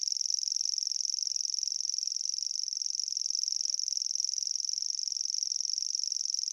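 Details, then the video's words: A grasshopper warbler, out in view, sings its song to attract a mate and defend its territory: a high, dry, insect-like reel held steady at one pitch without a break, with nothing else heard. "so as you can hear it sounds like it's name it's a grasshopper warbler and that's its song"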